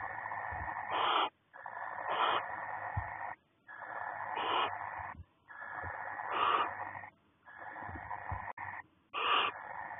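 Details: Barn owl pair in a nest box, February 2020, male bringing freshly caught voles to court the female before laying; long harsh breathy hisses, each about a second and a half, repeated roughly every two seconds with short silences.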